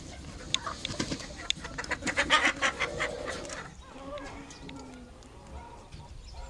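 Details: Dominique chickens, America's oldest chicken breed; a quick burst of short clucks and cackles peaking midway, then fading to quieter low clucking with faint background voices.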